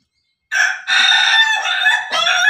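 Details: Crowing Pelung chicken: after a brief silence, a loud, bright, harmonic crow breaks into three joined segments, the middle one longest and steady, the last rising again.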